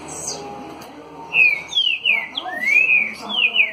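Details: Caged Green-winged saltator, singing face-on in the trinca-ferro "60 boi" (dançarino) style: after a quiet start, a loud phrase of rich whistled notes, a long rising slur among them, ending in downslurred whistles.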